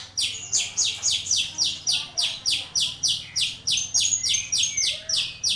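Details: Starling (jalak) mastering song for teaching other birds: a steady run of high, rising-then-falling whistled sweeps, about three or four each second, with a faint lower buzzing note near the end.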